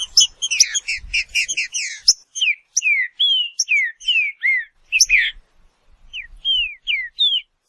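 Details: Green-winged saltator in song: rapid, clustered whistles open the passage, giving way to evenly spaced, clean, descending whistled notes with short pauses between them.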